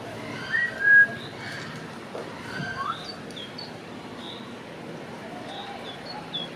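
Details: Grey parrot (Psittacus erithacus) at Schönbrunn Zoo, Vienna, whistling: two short clear whistles near the start, one sliding upward, then faint chirps over a hum of background noise.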